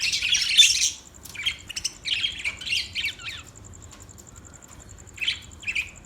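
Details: Budgie chattering: a loud harsh squawk, then quick runs of buzzy, scratchy chirps in uneven groups, falling quiet before two short final chirps.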